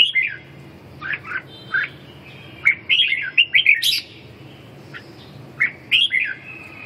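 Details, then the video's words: Red-whiskered bulbul in a competitive singing bout for restoring a listless bird: scattered short whistled phrases, then a fast cluster of bright chirps and a sharp high note, followed by a few more phrases, over soft background hum. "Đấu ché, phục hồi chim mất lửa, mất lực"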